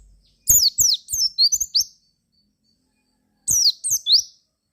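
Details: Javan white-eye singing as a lure to set other white-eyes singing: two bursts of quick, bright, very high chirps, downward-sliding notes followed by rising ones, with a pause between phrases.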